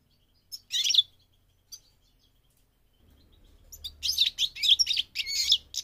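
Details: Goldfinch during migration: a lone high twittering burst and a faint chirp, a quiet gap, then a rush of rapid, jangling song notes.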